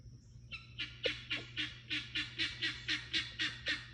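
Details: Guineafowl in a backyard flock, described as very loud and annoying, giving a harsh, grating call repeated about four times a second. The notes are evenly spaced and steady over low background hum.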